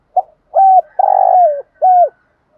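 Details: Spotted dove used as a lure to attract rival birds: a brief opening note, then three low mellow coos, the middle one longest and slightly rough, each ending in a downward slur.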